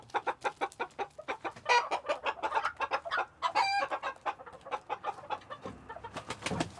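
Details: Chickens chattering inside a coop in Tokyo, February 2022: rapid overlapping clucks and occasional ringing squawks over a low background rumble.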